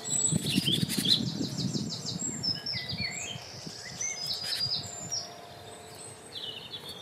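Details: Great tits in a large nature reserve give thin, high chirps and short twitters, several overlapping at an uneven pace, over a steady low rumble of background noise.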